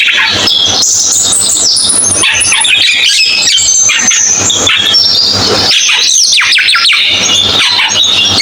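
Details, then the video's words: Loud cucak keling song: a continuous jumble of high whistles, scratchy chatter and falling slurred notes, phrases overlapping for several seconds, with a steady low hum underneath. "MP3 BURUNG CUCAK KELING"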